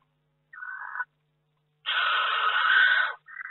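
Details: Barn owl inside its nest box in May; a shorter hoarse hiss, then a long, loud, harsh screech over a second in length, and the start of another.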